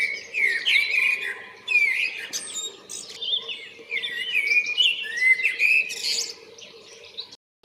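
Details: Common blackbird singing to attract a mate on February 28th, a run of varied warbled and fluted phrases with short pauses between them and a faint steady low hum underneath.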